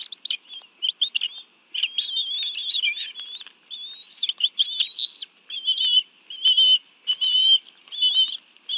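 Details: Afternoon meal at a bald eagle nest in the National Arboretum, Washington, D.C., June 2017, with the adults delivering fish to two young. Repeated high, thin squeals in clustered bursts, some slurred upward, broken by short gaps.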